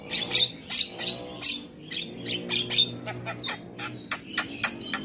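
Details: Black-winged myna (jalak kebo) training song meant to be played each morning so mynas sing readily: loud, harsh chattering notes and whistled squeaks in quick irregular bursts, with a faint low hum underneath.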